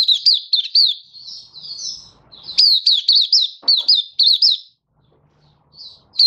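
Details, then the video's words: High-pitched buka song of a captive Malaysian mata puteh in Singapore on 20 March 2023, warm and sunny: fast flicking notes, a short softer warble, then a strong chattering run ending in silence. "Malaysian Mata Puteh Happy Buka Sing"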